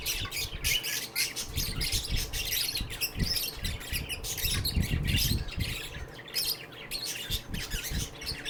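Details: Several lovebirds at a shelter for sick birds keep up nonstop high, harsh chattering and twittering, mixed with low thumps and background room noise.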